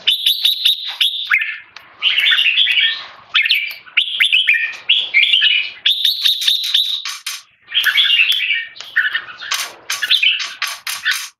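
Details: Red-whiskered bulbul, tame male, giving loud clear keke calls while being disturbed by people: long runs of shrill, buzzy chatter in repeated bursts, ending in rapid sharp staccato notes.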